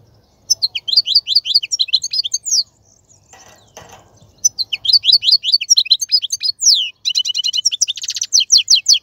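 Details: Male European goldfinch song used to teach young birds: repeated high, slurred chirps in quick series, a short pause with faint rustling, then renewed twittering and a buzzy trilled flourish.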